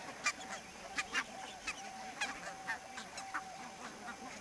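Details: Barnacle goose flock in fog at Niittylahti, Savonlinna, Finland, 2 October 2011, giving quick, sharp barking notes, a few close together, scattered over a low, steady murmur of distant calls.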